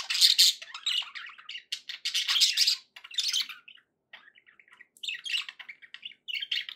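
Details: Budgie warbling to keep a pet parrot company: loud rasping bursts alternating with softer chirps and clicks, a quiet spell around the middle before the chatter resumes.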